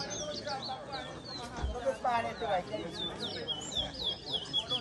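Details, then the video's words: Singing-race twa-twa (large-billed seed finch) at a Berbice bird ground, New Amsterdam, Guyana, delivering bright downslurred whistles and short trills, with a few louder bursts of human speech and scattered knocks. "TOWA TOWA BIRD RACE"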